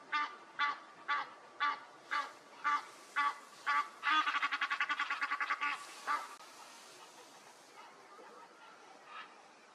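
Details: Egyptian goose calling: evenly spaced nasal honks about twice a second, then a fast rattling burst of rapid notes, fading to a few faint calls and background hiss.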